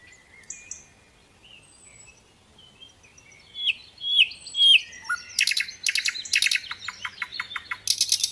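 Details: Little pied flycatcher (sikatan londo) singing in lively gacor style with rich fill phrases: thin high whistles at first, then louder slurred notes and a run of sharp buzzy stacked chirps near the end.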